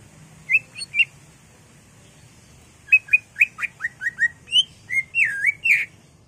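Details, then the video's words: Greater green leafbird in intense song with varied fill-in phrases, meant to provoke caged birds; three short whistles, a pause, then a lively series of clear descending notes and looping, warbled slurs. "CUCAK IJO GACOR EMOSI BONGKAR ISIAN NGENTROK/ PANCINGAN CUCAK IJO BIAR EMOSI"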